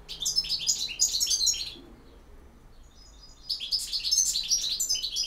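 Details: Goldfinch song in campero style: two rapid, bright twittering bursts, then a near-silent gap with faint notes, then the animated jingling twitter starts again.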